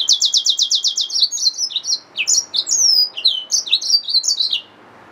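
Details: A yellow-fronted canary mule, a hybrid finch, opens with a rapid even trill of repeated notes, then continues with varied high chirps and long sliding whistles.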